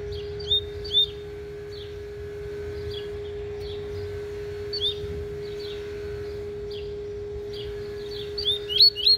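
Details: Caged double-collared seedeater warming up its tui tui song, scattered short sharp whistled notes with long gaps, a quick cluster at the end, over a steady electrical hum.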